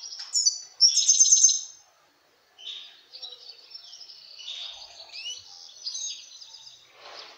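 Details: European serin (Serinus serinus), excited male courtship song directed at a female goldfinch: very high, fast, jingling buzzy trills, a loud opening burst, short pause, then a softer run of rapid notes.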